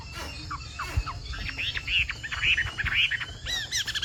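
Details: Chinese hwamei of the Tam Hoàng type singing a continuous, pattering song likened to falling rain: rapid varied whistled phrases, slurred notes sweeping up and down, bright clear syllables repeated in quick runs, over a low background rumble.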